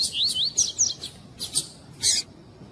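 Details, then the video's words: Female double-collared seedeater calling, used to excite a male: high, thin whistled notes that slur up and down, followed by several short, harsh, broadband chirps spaced irregularly. "ESQUENTAR COLEIRO TUÍ-TUÍ FIBRA COM FÊMEA CHAMANDO"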